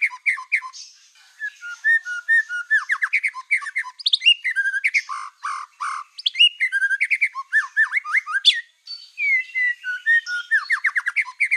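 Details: White-rumped shama of the black-tailed type singing constantly, a lure song to anger rival shamas; long, busy medley of sharp chirps, whistled slurs and fast rattling note series with brief pauses.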